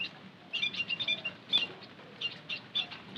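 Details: White-headed munia calls used as a lure: short quiet start, then bursts of high, clipped tweets with small gaps between groups.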